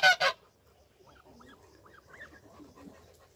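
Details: Barnacle geese with their somewhat larger goslings: two loud, harsh honks right at the start, then a quiet series of thin, arched peeping notes from the young scattered over the remaining seconds.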